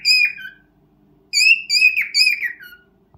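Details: Indoor pet cockatiel singing its first serenade to a mate: a pure, falling whistle, a pause, then a run of ringing whistled notes that slide downward at the end.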